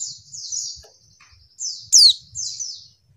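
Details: Female white-eye giving high thin slurred twitters with one loud sharp descending note near the end, a call used to provoke males; low soft rumbling underneath.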